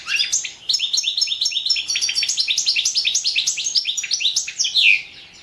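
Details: Entry for the World Championship in Goldfinch Song, held online: a European goldfinch delivers an unbroken run of fast, high, tinkling notes and sweeping chirps, ending in a louder descending twitter.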